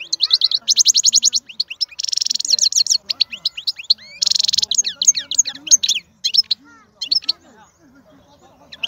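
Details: Powerful wild-caught European goldfinch song: rapid buzzy trills alternating with sharp twittering chirps and slurred notes, energetic and nearly unbroken, tailing off into scattered calls.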